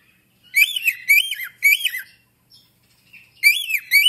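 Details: An African grey parrot gives three loud arched syllables in quick succession, faint soft notes, then two more strong calls, all in a quiet room.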